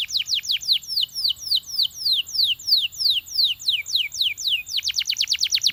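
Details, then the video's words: Belgian canary singing to coax other canaries into song: a steady series of falling high whistled notes, about three per second, quickening into a faster rolling trill near the end. "Belgian Canary Seducing Friends to Sing!"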